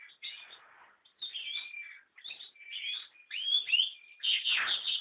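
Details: American goldfinch song: a run of twittering, warbled phrases with sweet slurred notes and rapid buzzy chatter, in bursts separated by short pauses, ending in a louder dense buzzy trill.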